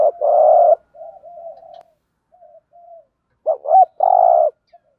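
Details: Decoy spotted dove giving the thúc gù call to draw out wild doves: a long buzzy coo, quiet soft murmurs, then two looping notes and another sustained, vibrating coo.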